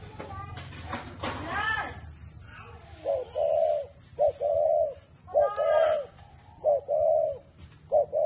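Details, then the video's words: Spotted dove from a bird farm in Ba Vì, Hanoi, Vietnam, singing in the prized whistle voice: after brief human noise, clear whistled coos come in pairs, a short note followed by a longer level one, repeated about every second and a half. "CU GÁY GIỌNG CÒI (thổ mổ còi)"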